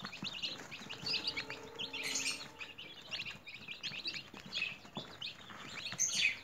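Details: Newly hatched chicks raised at home in a cage, peeping constantly: dense high chirps, many overlapping, with brief louder bursts near the middle and end.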